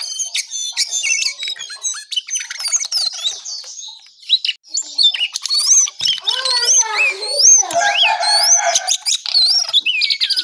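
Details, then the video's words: ['Brown songlark in lively morning song: rapid scratchy twitters followed by looping whistled upslurs and downslurs, some lower warbled notes mixed in.'] "Jongkangan/cingcoang coklat Gacor Pagi Sekali"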